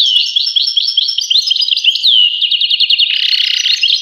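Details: European goldfinch giving lively liquid twitters and a sliding whistle, then a quick run of repeated chirps, ending in a brief harsh buzzy note mixed with the twittering.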